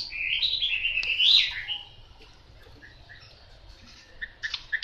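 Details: A yellow-billed, yellow-legged Chinese hwamei opens with a loud, rich warbled phrase sliding up and down. Quieter notes follow, then a few short, bright whistles at the end.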